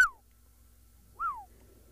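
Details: Black-headed orioles (Oriolus larvatus) call at sunrise on a safari drive, 21 April 2024, amid the morning chorus: two clear, liquid whistles, each sliding downward, about 1.25 seconds apart, over a faint low hum.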